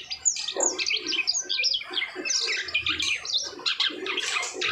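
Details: Asian pied starling in post-moult song: rapid, high chattering and twisting whistled notes, delivered in quick bursts with short gaps.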